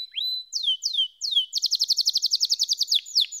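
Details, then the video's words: Singing canary gives a few descending whistled sweeps, then breaks into a rapid, even trill of bright high notes repeated about four times a second, ending on a sharp sweep. "Canary SINGING Like a Pro with Proven Tone Techniques!"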